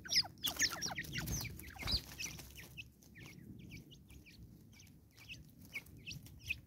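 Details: A Natal spurfowl in South Africa gives harsh, loud, raucous cackling bursts in the first two seconds, over a steady mix of high, thin chirps from other small birds.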